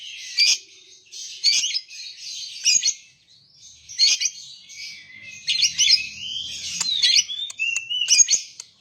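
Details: Lovebird song of scratchy, shrill chatter bursts spaced a second or so apart, with rising whistled glides near the end.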